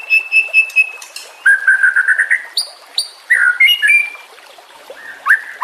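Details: White-rumped shama singing for training other birds with water in the background: steady high whistles, a warbled buzzy run, then varied clear whistled notes with pauses.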